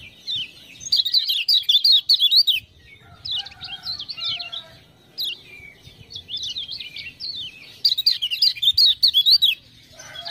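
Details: Energetic song of the lemon-bellied white-eye (kecial kuning, Lombok), prompted by ciak-ciak sounds: fast looping high chirps in several bursts separated by short pauses, with faint lower warbling between them.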